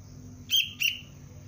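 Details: A Sooty-headed bulbul chick calling for its parent: two short, slightly harsh chirps a quarter-second apart, each briefly bending upward, over a faint low hum.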